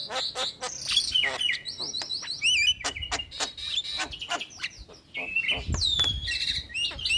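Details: Young starling singing on a training recording meant to be played routinely so that quiet starlings become lively singers; a dense run of high whistles, buzzy rising slurs and sharp clicks follow one another almost without pause.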